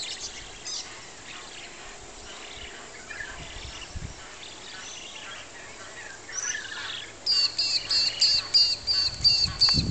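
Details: A buff-banded rail (Hypotaenidia philippensis) with two chicks at Urunga, NSW, gives thin, high squeaky notes about three times a second over steady wind hiss and distant birds.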